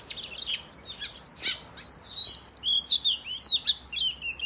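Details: Oriental magpie-robin singing a provocative fighting song toward other males, scratchy notes at first, then a run of clear, pure whistles spaced about a third of a second apart.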